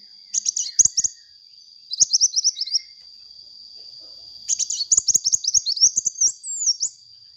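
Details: Actively singing sunbird, used as a lure: three bursts of fast, high, sharp twittering, the last one longest and ending in rising and falling slurred squeaks, over a continuous thin whine.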